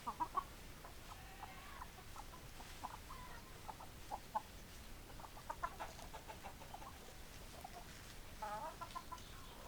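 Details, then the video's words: Chickens, hens and roosters, giving scattered short clucks and a few brief sharper notes at irregular intervals, with a low constant background hum. "Chicken Sounds Noises Hens Clucking Roosters Crowing"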